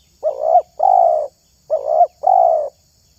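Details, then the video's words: Spotted dove prized for its voice in the luring hobby, giving two paired phrases: a short throaty coo, then a longer, level, mellow coo, with a steady faint high hum in the background. "SUARA TERKUKUR INI SANGAT ISTIMEWA"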